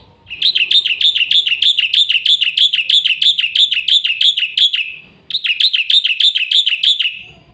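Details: Black-winged myna giving a fast full song used as a lure and tutor for young birds: a long, even run of quick rising-and-falling whistled notes, a short pause, then the run starts again.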